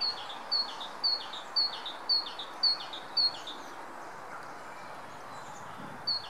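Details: Great tit, a male, sings in early spring sunshine on 25 February 2014, announcing himself with seven rhythmic two-note phrases, high then lower, at roughly half-second intervals, followed by silence and one more phrase. Constant low rumble behind.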